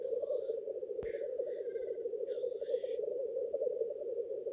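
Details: Male black grouse (Lyrurus tetrix) displaying at a lek, as they gather at dawn in spring (March–June) or autumn to court females: a continuous low, dove-like bubbling chorus broken by three or four sharp, hissing sneeze-like calls.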